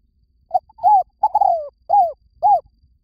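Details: A spotted dove coos as a lure. A brief note leads into a run of arched, mellow hoots with a long sliding croo in the middle, about five notes in all, with a steady rhythm and clean surroundings.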